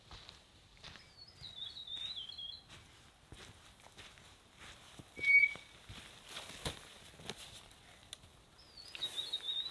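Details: A New Zealand bellbird perched near a tent at a windy, sunny mountain rainforest campsite after rain, flitting around camp, gives short phrases of warbled, high notes and one clear bell-like tone, widely spaced, over soft patter and footstep-like clicks.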